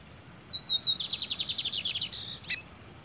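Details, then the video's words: Loose, free Lined Seedeater singing while perched on a person's head: a thin high whistle leads into a rapid series of about fourteen sharp, buzzy notes, followed by a brief sharp click. "bigodeiro solto cantando"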